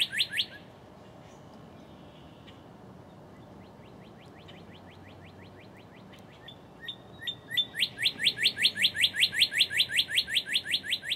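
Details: Northern cardinal singing close-up in early morning, filmed in March 2011: a few sharp notes, a quieter stretch of faint slurred whistles, then a loud rapid series of downslurred chip-like whistles about two and a half per second building in volume.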